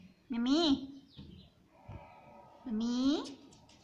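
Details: Talking pet Indian ringneck parrot said to say "mummy" and "papa": two loud, voice-like rising syllables a little over two seconds apart, separated by softer buzzy sounds, indoors.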